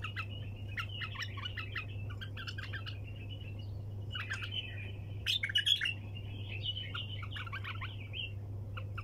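A bulbul gives bursts of bright, chattering chirps and warbled notes, repeated almost without pause, over a steady low electrical hum.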